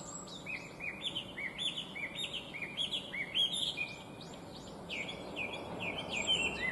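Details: Chinese hwamei, listed among the worst invasive alien species, delivering a long run of short rising whistled notes, many phrases repeated in rapid series, over noticeable outdoor background noise.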